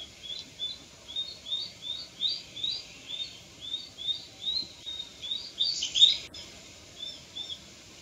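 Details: Japanese sparrowhawk fledgling repeating high, thin, slightly rising call notes about twice a second for several seconds; a brief loud rustling burst interrupts near the end, then the calling resumes softly.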